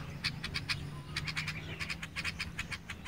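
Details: Sparrow chirping: short sharp chirps repeated in quick bursts, brief pause, then a denser run of chirps, over a steady low hum.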